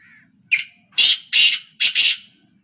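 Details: Black francolin, one of three birds calling non-stop: a single harsh, grating phrase of four to five rasping notes, the later ones paired, lasting about two seconds over a quiet background.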